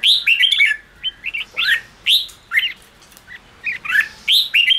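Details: Red-whiskered bulbul singing, used to rouse newly caught caged bulbuls into singing: short warbled, bubbly phrases that rise and fall, in bursts about every second, with sharp chirped notes between and a quiet background.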